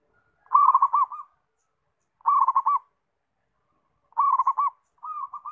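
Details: Zebra dove cooing: a rapid rolling series of soft notes repeated as short phrases about every 1.7 seconds, with four phrases in a quiet background.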